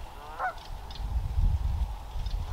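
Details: A Canada goose in Ottawa in early spring gives a single rising, nasal honk near the start, then fainter honks follow over a heavy low rumble of background noise.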